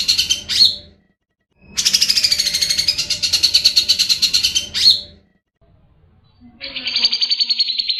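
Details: Grey-cheeked bulbul (cucak jenggot) in full song, kept as training material for other songbirds; high buzzy chattering phrases with sharp upslurred notes, pauses between bursts, then a steadier whistled trill at the end.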